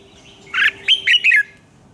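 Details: Morning song of a red-whiskered bulbul, offered as lure sound for voice training: a single lively phrase of four rapid, rich warbled notes dipping and rising, over a low steady hum.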